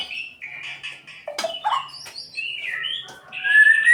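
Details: A murai pastol white-rumped shama sings to rouse other birds: a quieter, mixed stretch of warbled and slurred whistles with a sharp click, ending in a clear sustained high whistle.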